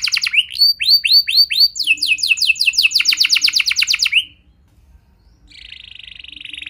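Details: Canary song meant to stir other canaries into singing: slow falling slurred notes, then a quick rolling trill, a pause, and a harsh buzzy chatter.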